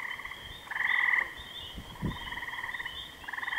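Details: Common loons at Kennebec: a quavering, rapidly pulsed tone near the middle of the range, rising in loudness, then a second wavering phrase and a third beginning at the end, over soft low thumps.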